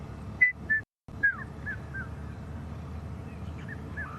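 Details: During an evening sunset safari drive on 30 October, a Red-chested Cuckoo calls from somewhere in the distance with a few clear, downward-slurred whistled notes over a low background rumble; cuckoos have recently returned.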